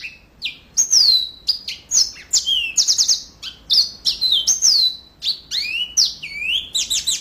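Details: Yellow-fronted canary in continuous loud song, clear high whistles alternating with rapid chirps and fast repeated notes, phrases tumbling together with hardly a pause.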